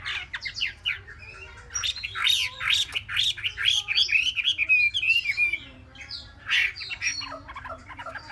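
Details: Caged Chinese hwamei, a three-month-old bird in Vietnam, singing a rich varied song of rapid slurred whistles and harsh chattering notes, phrases tumbling together with brief pauses; steady low hum beneath.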